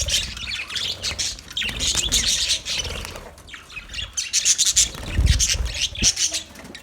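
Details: Budgerigars in a colony give busy high chirps and squawks, with a brief lull near the middle before a louder burst of rapid twitters.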